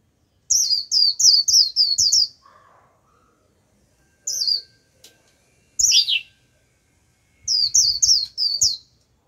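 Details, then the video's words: Decoy white-eye calling to draw in a wild flock, which comes and answers with líu song: a quick run of six high, falling chirps, then scattered single notes and a final burst of four. "Vành khuyên mồi gọi bổi cực tốt, bổi đến cả đàn, bật líu theo."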